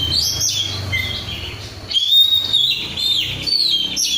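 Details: Oriental magpie-robin, a kept, untrained bird in lively song, gives high whistled notes and sustained level tones, with a louder, steadier whistled stretch in the second half.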